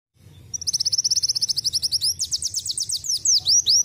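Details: A captive sunbird (kolibri wulung) that has learned canary song sings a rapid, high trill of about eight notes a second, breaking into quick sweeping, slurred whistles, over a low background hum.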